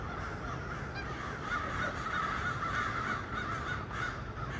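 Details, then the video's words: Crows perched in trees on 1 November 2022 keep up a noisy chorus of rasping caws, about three per second, overlapping and uneven, with a constant low-pitched background rumble. "Crows hanging out on the trees and making noise."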